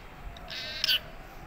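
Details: Talking parrot, known locally as tota or mitthu, gives one brief harsh harmonic squawk lasting about half a second and ending in a sharper, louder burst, with faint Hindi speech before and after.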